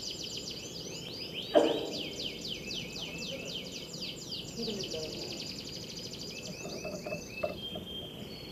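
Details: Canary singing at a bird singing competition: long runs of fast, rolling trills of repeated high notes, changing speed from phrase to phrase, over constant crowd and outdoor background noise with a brief knock.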